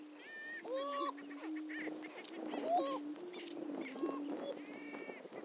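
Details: Several greater prairie-chickens on their historic lek at Dunn Ranch Prairie, Hatfield, Missouri: deep droning hoots hold steady while sharp rising whoops and chattering cackles cut in at intervals.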